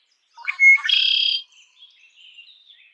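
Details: Song of a red-winged blackbird: short stuttering notes lead into a bright clear whistle and a rattling, buzzy trill, followed by faint distant chirps from other birds.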